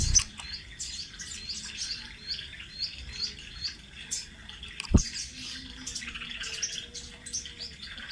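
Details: Sunbird singing a rolling training-master song: a quick run of thin, high, slurred notes repeated for about three seconds, then softer scattered chirps, with a loud knock and low background hum.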